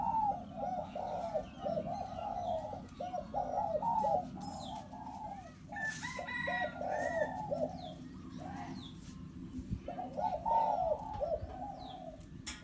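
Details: Hybrid zebra dove decoy, four years old, kept for pen trapping and said to hold tight inner and outer rings: bursts of rapid rolling coos separated by short pauses, over constant low background hum and a few faint clicks.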